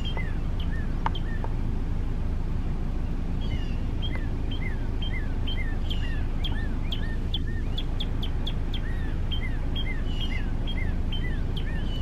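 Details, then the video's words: Male Northern Cardinal singing a quick series of clear, down-slurred whistles, several per second, in repeated phrases over a steady low rumble of wind or distant traffic. "Male Northern Cardinal Singing || Cardinal Song"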